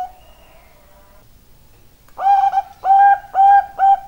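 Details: Bangkok-type zebra dove: a soft drawn-out tone fades away, followed by a pause and then four clear, level cooing notes in quick, regular succession, with little other sound.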